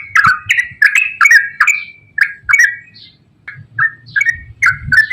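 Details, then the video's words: Yellow-vented bulbul in busy, extended ropel song, meant to make reluctant birds sing. Brisk repeated chirping whistles with a short break in the middle, over light low background noise. "KICAU TRUCUKAN GACOR ROPEL PANJANG"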